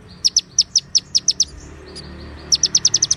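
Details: White-rumped shama training song with konin, cililin and ciblek phrases inserted: clear series of sharp high chirps in two bursts, about seven notes each, separated by a short quiet gap.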